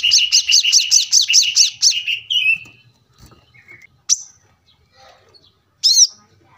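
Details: Brown-throated sunbird recorded for teaching captive birds: a quick train of doubled high and mid whistled notes, then a sliding trill, scattered single chips, and a last sharp note after a pause.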